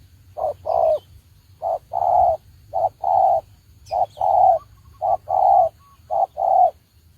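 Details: Spotted dove serving as a trapping decoy repeats low paired coos, short then long, about once a second in a steady series.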